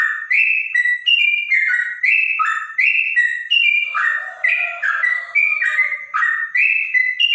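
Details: Clear-voiced trotok song said to resemble a straw-headed bulbul. Rich whistled notes step up and down in rapid connected phrases. A faint lower warble joins briefly midway.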